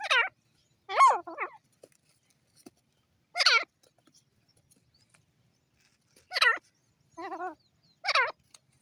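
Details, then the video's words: Grey francolin calling: loud harsh notes with stacked harmonics, each dropping in pitch, given in short bursts separated by pauses of one to three seconds, some as quick doubled notes, in a quiet background. "bhura teetar ki awaaz"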